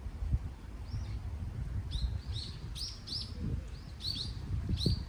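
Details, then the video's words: Birds chirping outdoors in Daejeon, South Korea, with a steady low rush of wind; short bright downward-curving chirps come singly and in quick pairs, bunching together in the second half. "바람소리와 새들이 지저귀는 소리.(sound of wind and a bird's chirpings)"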